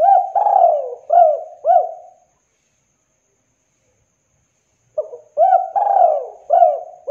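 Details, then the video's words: Local spotted dove singing strongly, meant to spur silent doves into song: a phrase of four hooked, arching coos including one long descending note, silence, then the same pattern repeated. "Tekukur Lokal Gacor DOR 100% OBAT MACET, MALAS, BISU Bikin Derkuku manapun jadi Gacor"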